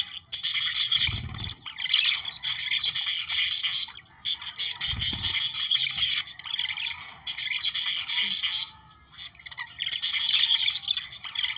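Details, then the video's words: Flock of budgerigars, sound meant to trigger breeding, giving restless scratchy warbles and chirps in long bouts broken by short silences, with a couple of low knocks near one and five seconds. "Periquitos 🦜australianos para activar su reproducción"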